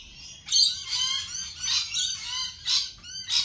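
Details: Lorikeets calling in a rapid series of shrill, grating screeches, roughly six loud bursts in quick succession after a quiet start.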